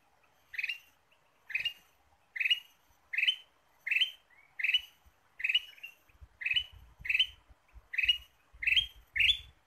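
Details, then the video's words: Ruby-throated bulbul song played as a lure for trapping. A fast string of ten or more short, bright whistled phrases comes nearly one per second, with soft low thumps in the background toward the end. "PIKAT KUTILANG EMAS GACOR"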